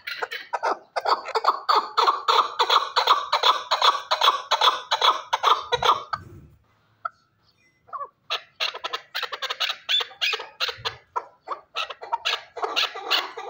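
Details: Chukar partridge from Shurobod: a long rhythmic series of harsh chuk-chuk notes, about two and a half per second, a two-second silence, then the series resumes.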